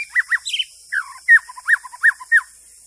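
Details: White-rumped shama, wild bird, in a recording for trapping birds dated 12/12/2016: short rich whistled notes in quick pairs and slurs, several falling, spaced irregularly over three seconds, with a steady high hiss behind.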